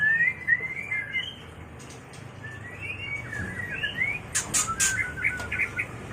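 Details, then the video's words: White-rumped shama mating sound for luring and training birds: a run of warbling whistled notes, wavering and rising, followed by a burst of sharp clicks and short high chips. "Suara murai batu kawin"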